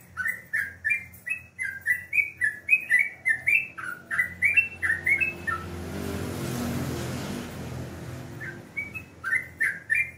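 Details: Morning song of a sooty-headed bulbul, quick liquid whistled phrases at roughly three or four per second, broken midway by a few seconds of rushing noise before the bubbling notes resume.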